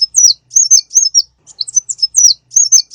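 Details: Konin (sunbird) song for luring, presented as full of varied phrases: thin, high-pitched chirps that slide downward, delivered in short, quick clusters with small silent gaps between them.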